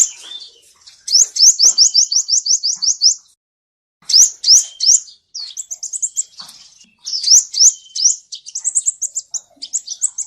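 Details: Male seven-colour sunbird singing, a recording used as a lure for bird trapping: high, thin, rapid trills of sharp rising notes, in bursts of two to three seconds separated by short pauses, with scattered twittering chips between phrases.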